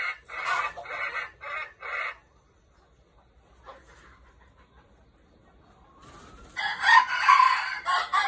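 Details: A golden-plumaged decoy red junglefowl gives a choppy crow of four or five rasping pulses over two seconds. A long lull follows, then a second rough, loud crow near the end.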